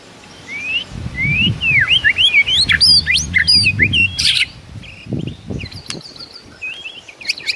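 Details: White-rumped shama song in a morning training recording meant to provoke rivals: a fast string of thin rising and falling whistles, then sparse high notes, over low rumbling background noise.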